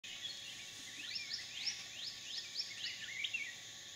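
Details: A Hair-crested drongo at a small waterhole in a dry stream bed in the dry season, Phnom Prich Wildlife Sanctuary, Mondulkiri, Cambodia, gives a quick run of rising, metallic whistled sweeps, several each second, over a steady high insect hiss.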